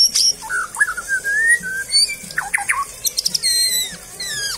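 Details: White-rumped shama song in a breeding setting: varied whistled phrases, rising and falling notes, sharp high chips and rapid trills in quick succession, with faint background hum.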